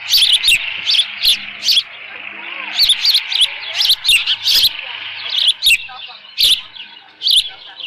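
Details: On 13 June 2018 near 11:37 AM at a ranch nest holding leftover fish, an osprey repeats shrill squealing chirps in bursts of two to four, with softer chatter between and a faint hum beneath.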